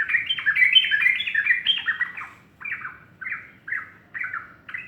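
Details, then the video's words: Morning singing by a sooty-headed bulbul: a rapid, jumbled burst of liquid whistles, then separate downslurred notes spaced about every half second. "burung trucuk berkicau pagi"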